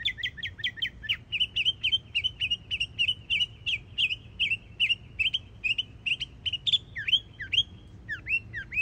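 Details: Yearling mockingbird singing in Florida, delivering rapid repeated chip-and-whistle phrases, then a long run of paired upslurred notes repeated about twice a second, ending with a few drooping whistles.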